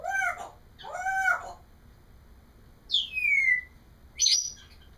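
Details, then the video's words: Caged pet parrot vocalising indoors: two rich, arched, nasal mimicking calls, then a long, loud whistle sliding downward and a sharp, bright squawk. "Alice babbles"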